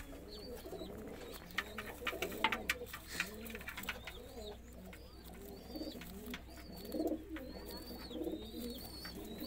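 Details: Roller pigeons cooing indoors: repeated low, soft rolling coos overlap from several birds, with thin wavering chirps from small birds high above and some clattering in the background.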